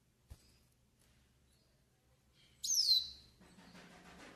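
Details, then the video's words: Pintassilgo do nordeste, a Yellow-faced siskin, in a pairing and warm-up song recording: after a faint click, a single loud high note drops smoothly in pitch, trailing into a low rasping murmur. "CANTO PARA ENCARTE E ESQUENTA PINTASSILGO DO NORDESTE"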